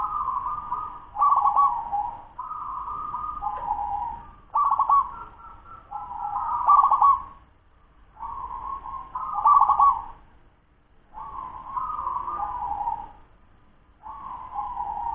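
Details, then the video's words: Continuous fast singing from a 10-month-old local zebra dove, about a dozen soft coo phrases over fifteen seconds, alternating rippling stuttered notes with long smooth falling coos, separated by brief pauses. "Suara perkutut lokal cepat usia 10 BULAN"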